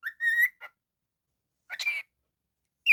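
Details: Naughty pet cockatiel giving a short whistled phrase with a rising end, then a brief harsh chirp after a pause and a sharp rising squeak at the close, quiet between the sounds.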